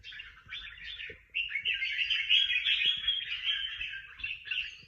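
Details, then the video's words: Contest-winning singing bird: after a brief opening phrase and short gap, a dense, nearly unbroken torrent of fast trills and twittering runs, with faint clicks in the background. "Những chú chim hót đấu hay nhất và được nhiều giải nhất"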